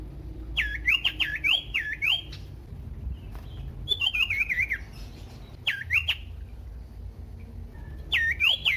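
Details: Strident Common iora song aimed at provoking other ioras to sing: groups of looping whistles sweeping up and down sharply, several per second, in four bursts separated by short pauses.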